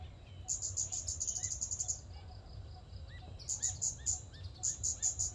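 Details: Scarlet-backed flowerpecker calling with quick strings of piercing, high-pitched ticks, a long run and then shorter bursts, while softer rising whistled notes from another bird and a low rumble sit underneath.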